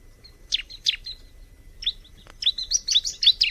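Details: Bar-winged prinia, known locally as ciblek, singing spaced high downslurred chirps that quicken into a rapid, rising run of sharp notes at the end, with a single click in between.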